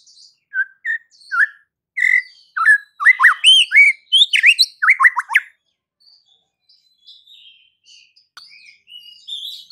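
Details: White-rumped shama delivering a lively song of quick whistled slurs, upward and downward sweeps building into a dense burst, then quieter scattered high notes.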